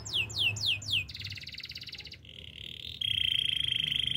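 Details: Canary singing: a run of four descending whistled slurs, then a buzzy rattling trill, a lower buzzy note and a fast, bright rolling trill.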